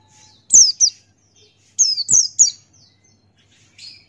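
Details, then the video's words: Ngalas-style song of a male Buxtoni white-eye: a pair of high falling chirps, a short pause, then three rapid slurred notes and a faint final note. "Masteran Pleci Buxtoni Ngalas Buka Paruh"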